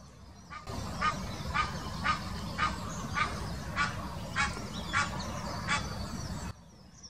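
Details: Egyptian goose giving its mating call in the Wittlicher Senke in 2018: hoarse, rasping honks repeated at a steady pace of nearly two per second for about six seconds, with a low background rumble.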